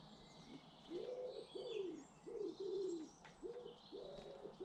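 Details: British garden birds: clear, mellow cooing in rhythmic phrases of two or three notes, backed by faint distant high-pitched twitters and a quiet outdoor hush.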